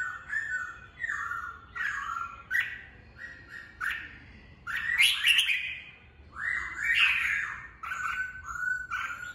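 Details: Red-whiskered bulbul in a cage, recorded to train its song for contest birds; a steady run of short warbled whistles and chirpy squeaks, some notes sliding upward, with a few shrill accents midway.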